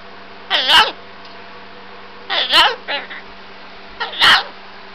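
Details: Three rough, voice-like squawked phrases from a talking pet cockatoo in a silly mood, spaced roughly every one and a half to two seconds, in a quiet room with a faint electrical hum.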